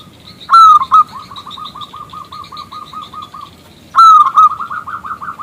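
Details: Zebra dove of a local strain, a strong singer, calling to prompt a male to sing: two phrases, each a loud bright opening note trailing into a long chain of rapid, even coos.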